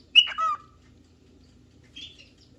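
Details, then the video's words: Cockatiel searching for a partner or playmate: one loud shrill call falling to a lower sustained note, followed after a pause of over a second by a quieter, shorter chirp. "Cockatail looking for a playmates"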